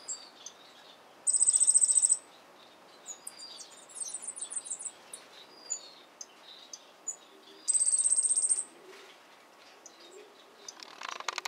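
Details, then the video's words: A Yellow-faced grassquit sings while opening its wings, giving two thin, very high, insect-like buzzy trills about six seconds apart, with softer high chips and buzzes between them. "Tomeguin de la tierra cantando"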